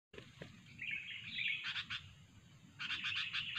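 Sooty-headed bulbul giving quick bubbly, chirpy phrases in two bursts, fairly high-pitched, over a steady low background hum.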